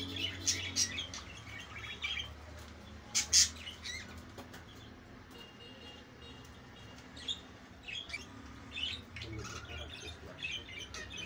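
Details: Pet budgerigars during the mating season give scattered bright chirps and squeaks, with a louder burst early on and softer warbling later, over a constant low background hum.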